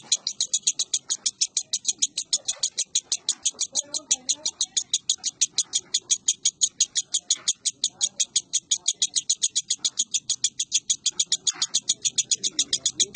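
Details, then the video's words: Lovebird kept as a competition bird, recorded 19 January 2018: a long, steady run of rapid high chattering notes, about five per second, continuing unbroken, with faint low background noise. "Suara Lovebird "Si Jawa""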